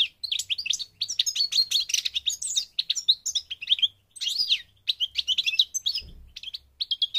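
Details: European goldfinch singing in Morocco, North Africa: a fast, dense stream of bright twittering and tinkling notes, with buzzy trills and quick rising and falling slurs running almost without a break.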